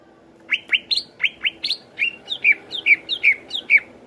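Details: Greater green leafbird song used to rouse other leafbirds: paired rising chirps, then a regular series of downslurred whistled notes, about two or three per second.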